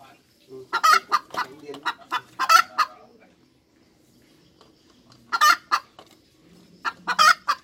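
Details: Hens cackling, loud harsh clucking bursts in groups around one, two and a half, five and a half and seven seconds, separated by quiet gaps.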